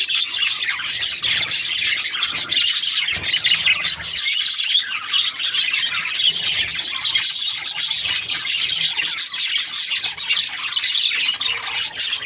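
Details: A group of budgerigars keeps up a steady wall of high, busy twittering and chirping, many voices overlapping throughout with no clear gaps.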